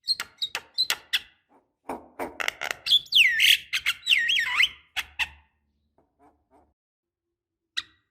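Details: Javan myna lure call, described as a female calling a male, used to prompt silent birds to sing: harsh clicks and squawks at first, then loud swooping whistled notes that rise and fall, stopping after about five seconds, with one final chirp.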